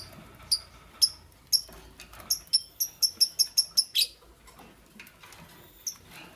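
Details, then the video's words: Green Fischer's lovebird, kept with a pastel bird, chirping while making a nest: a string of sharp high chirps, a few spaced singly, then a quick run of about eight evenly repeated notes, then sparse chirps again, over faint rustling. "LoveBird Makes a Nest - Lovebird Chirping Sounds - Green Fischer's with Pastel"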